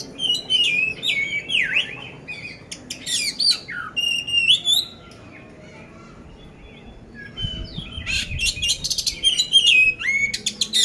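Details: Competition-ready caged oriental magpie-robin in Magelang, Indonesia, singing busily with a coarse fill: ringing whistles and dipping slurs, then a pause of a few seconds before a burst of harsh, rapid chatter and whistles.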